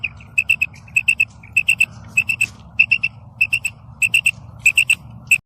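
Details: Female quail (bedana, batair) calling: loud, bright paired and tripled notes repeated rhythmically about once a second, clean and whistle-like throughout.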